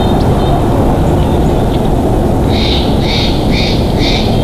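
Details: Bald eagle at a nest in Big Bear Valley, on a live nest camera, 10/04/2022 at 12:27; four evenly spaced, high squeaky notes in a quick series during the second half, over loud, steady low rumbling noise.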